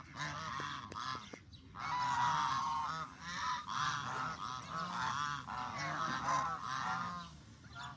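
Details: Several hungry Canada geese keep up a loud, busy chorus of overlapping nasal honks. A few sharp clicks are heard near the start.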